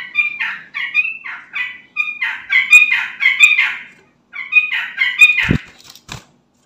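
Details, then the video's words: Lure song of a sooty-headed bulbul meant to set other bulbuls singing: short bubbly whistled phrases in a series, a pause near four seconds, then more phrases ending with two sharp knocks. "Trucukan Bahan, Ombyokan Langsung Nyaut Dengar Suara Trucukan Gacor ini"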